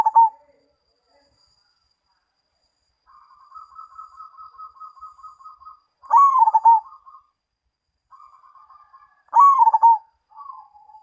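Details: Perkutut, the zebra dove, singing in Mojopahit style: soft rapid trilled cooing runs alternate with two loud stuttering coo phrases, each bright opening note sliding down into quick beats; quiet background.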